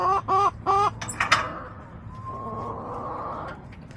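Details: Backyard hens on a homestead camera in late April: three loud, strongly harmonic squawking clucks in quick succession, then a long drawn-out nasal call trailing off, with soft background hum.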